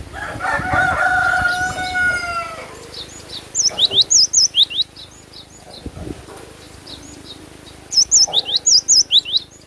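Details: Cinereous tit singing actively: two bursts of sharp, high, V-shaped whistled notes repeated rapidly, about eight per burst. A lower, drawn-out harmonic call from another animal comes first, over steady background hum.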